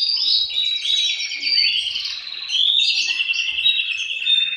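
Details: Male canaries answer one another in song, a racket intended to stimulate breeding. Rapid rolling trills and high whistled accents overlap in a continuous, bright chorus.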